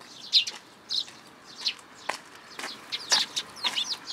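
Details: A young sparrow that has come to a plum tree at a Tenmangu shrine for food, 1 June 2022. It gives harsh, slightly descending chirps, spaced out at first and then tumbling together in a quick series.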